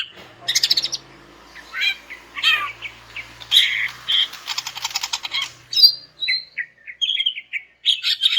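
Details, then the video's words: Greater green leafbird singing, used to get non-singing males calling again: scratchy buzzes and rattling trills, then a quicker series of varied whistled and chirping notes. "BURUNG CUCAK IJO JANTAN MACET BAKAL NYAUT GACOR DENGAR INI"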